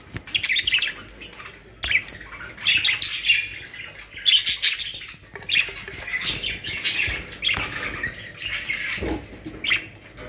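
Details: Captive budgerigars in Pakistan warble and chirp in bursts, the scratchy high chatter of several birds rising and falling, with a few soft knocks in between.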